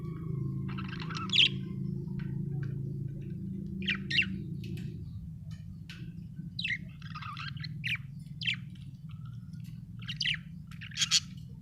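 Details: Happy pet budgerigar chirping: short, bright, scattered chirps and squeaky notes at irregular intervals over a steady low hum in the background.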